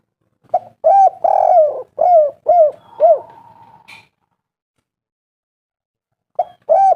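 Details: Spotted dove, local lure call played to make doves sing: a phrase of soft cooing notes around the same low pitch, one long purring coo among short arched hoots, then silence before a new phrase begins with two short coos.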